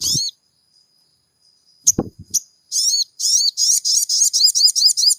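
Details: Sogon song played as a lure to make a caged sogon sing: a short chirp, then clicks and knocks, then a long run of rapid, evenly repeated high, slurred chirps with a steady thin tone beneath.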